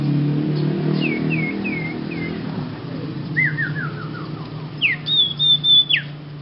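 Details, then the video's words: Young sirpu singing strangely: four short falling whistles, then a quick descending run of clipped notes, ending in a sharp upslur and a long high whistled tone that drops away; low hum beneath. "Kicau Burung Sirpu pemula Bersuara Aneh"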